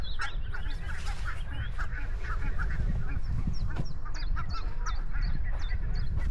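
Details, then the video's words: Nasal goose honks tumble over one another during a walk through open grassland, joined by sharp high chirps of other birds, all over a deep, continuous background rumble. "Grassland Walk with Goose Sounds"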